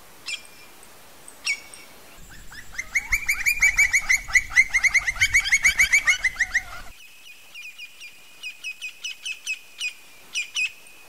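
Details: Campo flicker (Colaptes campestris), a large woodpecker. Two short calls open, then a fast, loud run of evenly repeated sharp notes lasts about five seconds. Spaced single, higher notes follow in quieter surroundings.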